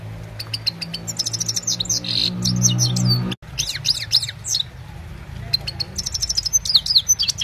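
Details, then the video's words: Himalayan goldfinch singing at evening time, recorded on a mobile: scattered high twittering phrases and sweet slurred notes, softer in places, with a low humming drone and one abrupt break. "Gold finch simple singing this is really amazing bird song"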